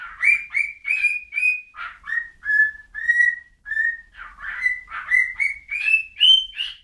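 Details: Bird whistling a lively sequence of short notes that dip, hold, then step upward, interspersed with rougher chirped syllables; steady rhythm throughout.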